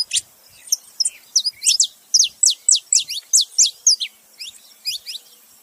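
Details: Saffron finch male and female calling together: a steady series of sharp, high, downward-sweeping chirps, roughly three or four per second, loud and clean with no other sounds.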